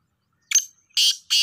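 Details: Black francolin, known locally as kala teetar, calling: a short thin whistled note followed by two loud, rasping, buzzy high bursts close together.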